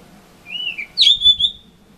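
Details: Blue rock thrush singing from a balcony in windy Misaki town on 14 April 2013; a smooth whistled note dips, then a quick sharp down-slur and a sustained clear whistle, over faint low rumble.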